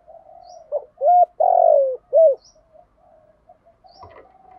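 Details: Spotted dove giving a full song in the 'giọng thổ' style, played to teach newly caught doves to sing. One phrase of low coos: a short note, a clear steady coo, a long buzzy falling coo, then a final coo, with faint background murmur.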